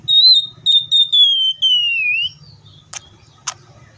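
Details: Oriental magpie-robin in captivity whistling four or five long, clear notes that step gradually downward and end with a short upslur, followed by two sharp clicks and quiet room hum.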